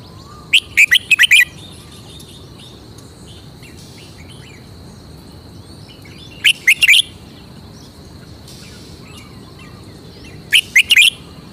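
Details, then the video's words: Red-whiskered bulbul kept as a cage bird in Thailand, presenting its signature song phrasing: three bursts of rapid, rich whistled notes spaced several seconds apart, with soft background chirps and a constant high-pitched hum. "นกกรงรงหัวจุก 88 chao mao. red-whiskered. bulbul birds."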